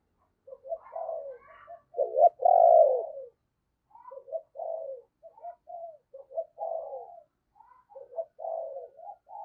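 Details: Morning decoy spotted dove calling to wild doves. A loud falling coo is followed by a run of softer, quick, evenly repeated coo notes, with faint higher notes above.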